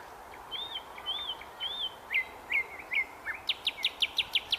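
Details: Nightingale singing at Svyatoe Lake: three slurred, arching whistles in a row, then quick rising whistled notes, ending in a fast series of sharp, dry clicking notes at about six per second, over a steady background hiss.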